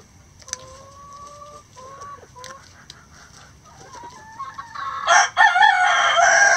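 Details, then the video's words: Backyard rooster crowing while the flock forages through pine needles and leaves for bugs, worms and pecans; soft, level clucks and short notes lead into a loud, harsh, buzzy crow near the end. "Chickens Eating Rooster Crowing"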